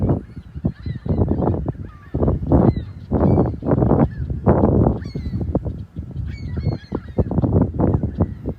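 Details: Beach gulls on the morning of March 21, 2021, at South Beach, South Haven, by the lighthouse and pier: scattered high, bent yelping cries from several birds, heard between loud surges of surf.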